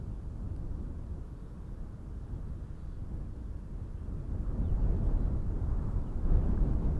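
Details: Low roaring wind and engine-like rumble swelling toward the end, with no animal calls.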